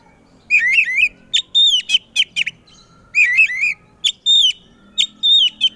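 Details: Singing Oriental magpie-robin in a loud, provocative song that makes other magpie-robins reply: warbled rolling phrases alternate with clear whistled notes and sharp short calls, repeated in two similar runs.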